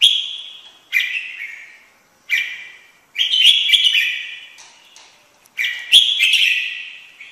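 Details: Red-whiskered bulbul singing. Short, bright whistled phrases with sharp starts and trailing, fading ends are separated by pauses of about a second. Two phrases carry quick warbled flourishes.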